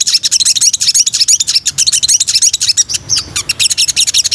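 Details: Sooty-headed bulbul, a breeding female calling the male, gives a rapid run of thin, high chirping notes, roughly three each second, with a faint low hum underneath.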